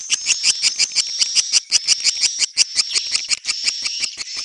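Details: Swiftlet sound styled netral (neutral): fast, regular train of crisp, high clicking chirps, roughly three per second, with a continuous shrill tone in the background.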